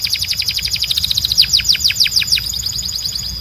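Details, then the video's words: A Belgian canary delivers a rapid trill of short notes that speeds up and then slows into wider downward sweeps before stopping, sung loud and clean for training birds. "Canário Belga Cantando 2026 🔥 Canto Forte e Limpo Para Treinar Pássaros"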